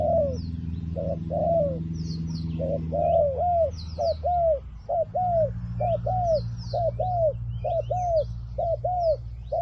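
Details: Spotted dove decoy calling for wild doves: a rapid run of arched coos, a short and a longer note in pairs, over a low droning hum that changes partway, with high bird chirps above.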